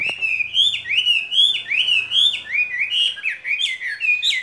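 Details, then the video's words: Caged skylark singing a continuous warbling, twittering song of quick slurred whistled notes that rise and fall, with a faint low hum underneath. "Chim quý ở lồng son ca bản tình ca mùa xuân"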